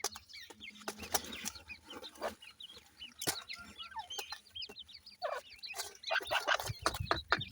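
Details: Grey francolin chicks in a noisy, crowded chorus of overlapping high chirps, growing denser toward the end, with clicks and rustling throughout.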